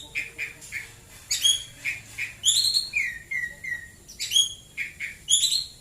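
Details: White-rumped shama singing in the morning: varied whistled phrases, bright rising notes and slurred downward whistles, with short chirps spaced through the phrase and a faint steady hum beneath.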